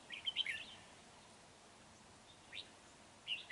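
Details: Decoy red-whiskered bulbul with a dark bib, trapping session of 31 January 2019: one brief bubbly phrase at the start, then quiet with two short chirps later.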